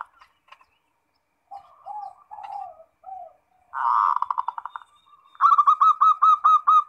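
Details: A captive zebra dove (perkutut) in Indonesia, singing vigorously as a lure to prompt other doves to answer, gives soft mid-pitched coos, then a rapid rolling burst and quick bubbling notes repeated about twice a second.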